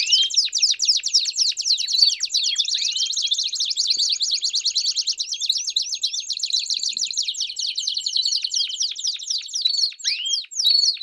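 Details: Belgian canary warm-up song: steady stream of quick downward-slurred notes forming a high rolling trill, broken briefly near the end by separate sweeps.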